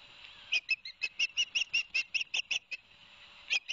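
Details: Quick, urgent series of about fourteen high whistled chirps from an osprey, then a brief gap and two more notes. Recorded by a live nest camera, Barnegat Light, New Jersey, 11 September 2021, after two fish were delivered to the young.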